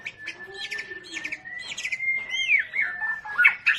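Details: Long-tailed Medan white-rumped shama being paired for breeding: a long, steady whistled tone runs beneath short chattering notes, then rising and falling whistled slurs and a few sharp chips.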